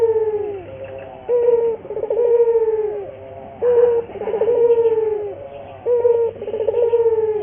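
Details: Puter dove lure song used to train local doves to sing often: repeated coo-croo phrases, each a short clear note then a long purring one, three phrases about every two seconds.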